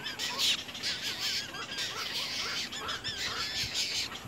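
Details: Baby little egrets in their nest biting at the adult; dense overlapping squeaky, warbling calls that rise and fall continuously through the whole stretch, over constant hiss.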